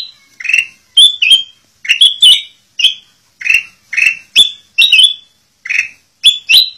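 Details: Black-crested bulbul whistling a lively training song for captive birds, dense run of clear notes mixing soft lower whistles and sharp rising pairs with hardly a pause.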